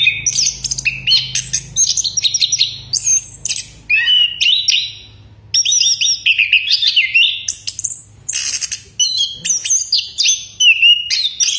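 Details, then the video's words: A Chestnut-capped Thrush sings loud, rich whistled phrases in a fast, varied, nearly unbroken stream, with only brief pauses, over a faint low hum. "橙头鸟 anis kembang bersiul keras"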